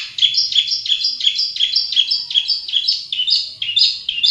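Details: Long-tailed shrike singing in its natural habitat, repeating a two-part phrase roughly every third of a second: a bright whistled note dropping into a scratchy slur, steady and rhythmic throughout.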